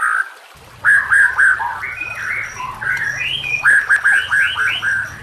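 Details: White-rumped shama (murai batu) recording meant to lure or train other shamas, with trickling water behind: a run of short, rich, mellow whistled notes, several rising in stepped series, repeated about four per second, over low rushing noise.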